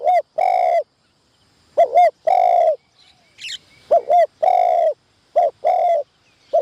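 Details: Decoy spotted dove on its first training session at a trapping enclosure: repeated groups of mellow cooing, each a short double note and then a longer, steady coo, with clear pauses between groups.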